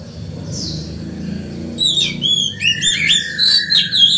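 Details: Morning song of an excited Oriental magpie-robin, used to attract other birds and train young birds. A soft high note opens, then a dense stream of fast chirps and clear whistled phrases builds toward the end.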